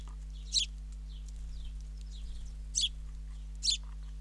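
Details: A fledgling house or Spanish sparrow being fed by its father in Ram On, Israel gives three harsh, high, shrill chirps, each a split-second burst spaced one to two seconds apart, with faint twittering and a steady low hum behind.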